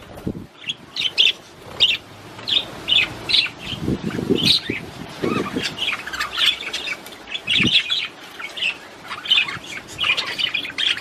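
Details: Australian budgerigars chirping to encourage mating, repeated bright squeaky notes and chattering phrases roughly every half second, with soft low thumps and rustles in between.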